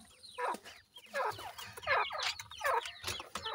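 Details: Grey francolin chicks, captive-bred, feeding and playing; a string of short rising-then-falling peeping chirps repeated roughly every half second, slightly hoarse, with soft background rustle.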